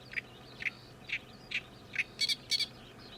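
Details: A summer-migrant Oriental reed warbler, newly arrived for the season, sings noisily, a harsh, grating "gyo-gyo-shi" string of notes about every half second, ending in two louder, rasping chacks.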